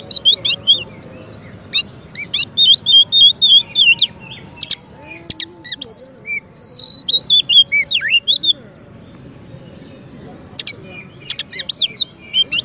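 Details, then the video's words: Champion Oriental magpie-robin, recorded for training and teasing white-rumped shamas, pours out dense rapid phrases of chips, whistles and slurred notes, pausing briefly around the tenth second before resuming; steady faint hum underneath. "Kacer Juara untuk Masteran dan Pancingan murai batu"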